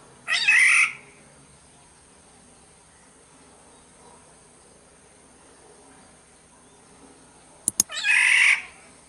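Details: Black-naped oriole from Sumbawa, used to lure: two short, harsh, nasal calls nearly eight seconds apart, the second preceded by a pair of sharp clicks, with steady faint hiss between.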